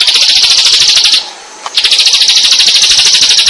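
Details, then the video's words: Bar-winged prinia, full of song, producing a dense, buzzy, high-pitched trill. The trill breaks off for about half a second, then resumes just as strongly. "Suara Burung | Ciblek Gacor"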